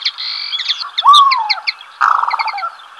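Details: Black-bellied sandgrouse, a pair on waste ground south of Villarrubia de los Ojos, Spain, early July: one rough, rippling churr near the end, preceded by a sliding whistle and high chirps from other birds.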